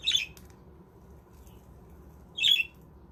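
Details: Captive budgies in a handmade aviary give a brief raspy squawk, then silence, then a second squawk some two seconds later, with low hum beneath.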